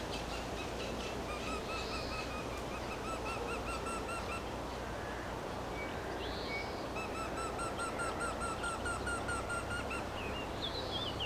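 Eurasian wryneck gives two runs of quick, nasal, ringing 'quee-quee-quee' notes, about two per second. Other small birds call briefly over a steady low rumble.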